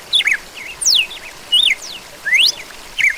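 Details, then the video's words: Whistled song of a red-cowled cardinal: five bright phrases in quick succession, some sliding steeply down, others climbing sharply, with faint higher overtones and a light background hiss. "GALO DA CAMPINA"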